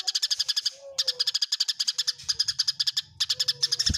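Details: Eurasian tree sparrow fighting call: steady streams of clipped, high chirps, several per second, broken by short pauses, with a faint low hum underneath and a knock at the close.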